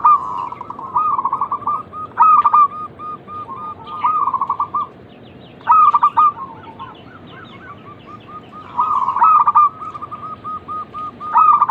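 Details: Zebra dove song, local type, meant to stir other doves into cooing: several phrases of rapid rolling coos with stuttering starts and long trailing trills of even notes, repeated roughly every two to three seconds.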